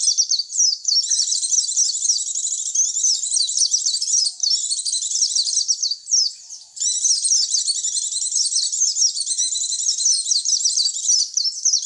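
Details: Continuous high-pitched white-eye twittering from a lure recording meant to attract white-eyes, a rapid stream of squeaky chirps with one short break midway. Clean and free of other noise.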